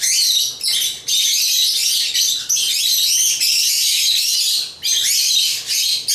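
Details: African lovebirds (Agapornis) chatter in a dense, shrill, unbroken stream of high squeaks and chirps, pausing only briefly every second or two.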